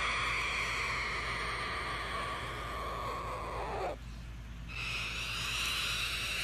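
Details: A pet cockatoo perched on its owner's shoulder, seeking attention, puts its beak by the owner's ear and gives a long, raspy hiss that breaks off, then starts again, harsh and breathy throughout.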